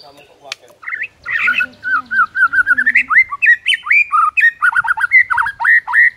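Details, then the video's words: White-rumped shama singing in the morning to provoke rival birds: a fast, varied run of whistled and chattering notes around mid pitch, some rising slurs, delivered rapidly with a faint low warble early on. "HITUNGAN DETIK DI PAGI HARI BIKIN MURAI LAWAN AUTO NAIK EMOSI SEKETIKA"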